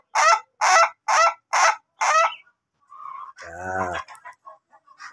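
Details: Ayam Ketawa chicken, long-duration crowing type, in training; five loud cackling laugh syllables, then the crow stops and a man's voice and softer background sounds follow.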